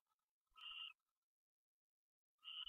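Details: At night, 1:21 AM on January 22, 2013, an owl of a pair taking off gives a brief hoarse, tonal screech lasting under half a second, then a second similar call begins about 1.5 seconds later; faint thumps, otherwise silence.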